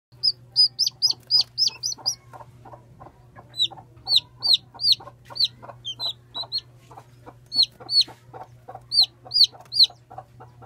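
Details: One-day-old chicks peeping: high, downward-sliding cheeps in quick bursts, several birds overlapping, with a steady low hum underneath.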